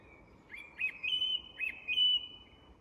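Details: Song thrush at dusk in English woodland singing a whistled phrase with a rising flourish, delivered twice in quick succession, clear and close against soft background noise.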